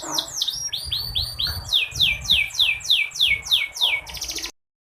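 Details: Female canary calling to rouse males that have stopped singing and lift their breeding urge: rolling, descending whistled slurs at a steady quick pace, ending in a short buzzy burst and then silence.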